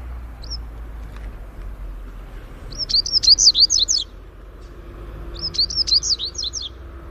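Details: Greek-style song of a Double-collared seedeater: a single high note, then two matching bursts of rapid, bright, zigzagging whistled notes, each about a second long and two and a half seconds apart, over faint steady hiss.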